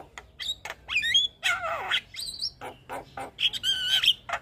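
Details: Busy song of a white-eyed Javan myna full of mimicry, nodding as it sings: jumbled whistles, rasping grating phrases and clicks tumbling together with few pauses.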